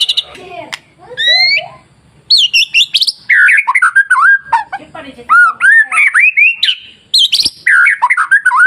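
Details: Masteran song from a white-rumped shama, played to stir other shamas to sing. Soft rising sweeps open into dense, loud bursts of varied whistles, slurs and buzzy trills repeated in quick phrases.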